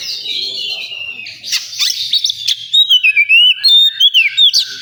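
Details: Oriental magpie-robin at a singing competition area, opening with a buzzy, steady high note, then a run of crisp, evenly spaced whistled notes bending up and down, about eight in two seconds, amid background birdsong.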